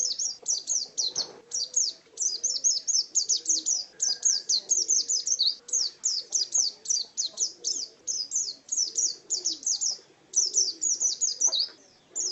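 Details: A busy, continuous ngalas wild-type song from an Oriental white-eye: quick high chirps and twitters in dense runs, with a low background murmur and one brief thump early on.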